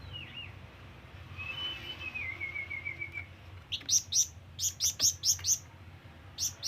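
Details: Flamboyan bird calling to lure rivals: a wavering whistled line, then an uneven burst of sharp, very high chirps about twice a second.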